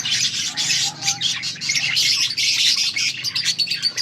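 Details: Busy budgie chatter from August 14, 2024: loud, continuous harsh chirps and squawks overlapping in a thick wall of sound, with a faint low drone beneath.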